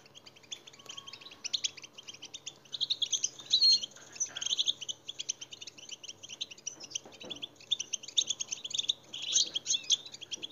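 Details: Stimulating song for captive goldfinches, sung by a European goldfinch: long, busy twitter of high, buzzy and tinkling notes, rising and falling in loudness, with a quiet background.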